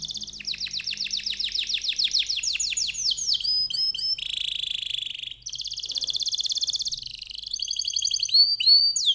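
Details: Singing canary in full, lively voice, used as a lure to prompt other canaries to sing: fast trills of repeated downward-sweeping notes, buzzy rolls and sharp rising whistles following one another without pause.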